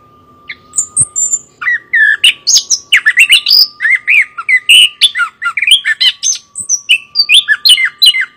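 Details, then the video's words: Loud song of a chestnut-capped thrush (anis kembang): a long, varied stream of clear whistles, buzzy notes and quick chirps tumbling together almost without breaks, over a faint steady hum. "burung anis kembang suara emas loud noise bird Geokichla interpres"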